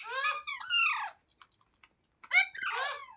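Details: Talking green parrot, a rose-ringed parakeet, producing speech-like, wavering syllables in two short bursts with a quiet gap, sounding like imitated words indoors.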